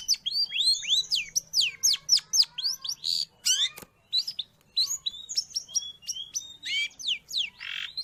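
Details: Long-tailed shrike singing for bird training or luring: rapid varied chirps and curved whistles, with a harsh raspy burst and a sharp click midway, then more quick mixed notes and a final rasp.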